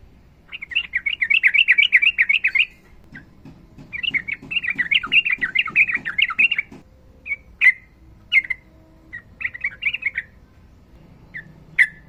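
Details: Yellow-vented bulbul in full gacor song with long ropel phrases, female calling male, used to train reluctant birds. Two long rapid warbling chatters of several seconds each, followed by scattered sharp notes and short bubbly bursts.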